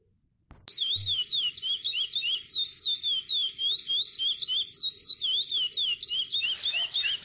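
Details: Lesser seed finch, known as curió, delivering a fast run of clear slurred whistles, about three to four notes a second, each dipping and rising, steady throughout; a brief knock at the start and a hiss of rustling noise at the end.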